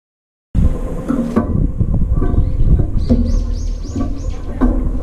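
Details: Late-arriving brown-eared bulbuls crowd a nearly empty food bowl, squabbling over the last scraps; a run of high, arched squealing calls comes midway through, over heavy low rumbling background noise.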